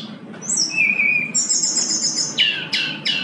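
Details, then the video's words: Brown-chested jungle flycatcher in full song, used for training silent birds: a high thin whistle, a steady lower whistle, then a buzzy trill and three sharp downward-sweeping notes, over faint low hum. "SRDC GACOR SANGAT COCOK UNTUK PANCINGAN SRDC MALAS BUNYI"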